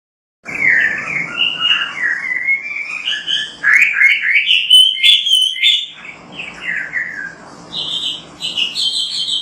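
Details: Oriental magpie-robin (kacer) in lively full song, used to train other kacer to sing: rapid varied whistled and warbled phrases, some sliding and buzzy, with brief pauses and a faint low hum beneath.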